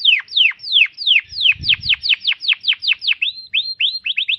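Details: Atlantic canary song used for tutoring cage birds: fast series of clear descending whistled sweeps repeated about three per second, shifting to short rising upslurred notes near the end, with a brief low rumble in the background.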